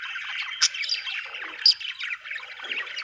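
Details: Budgerigars chirping in a continuous dense chatter of warbled, buzzy notes, with a few sharper high squawks standing out near the start and middle.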